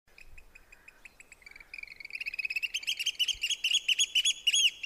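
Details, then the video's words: Oystercatcher giving shrill, high piping notes that start spaced and quicken into a loud, ringing trill of rapid kleep notes. "Oystercatcher call"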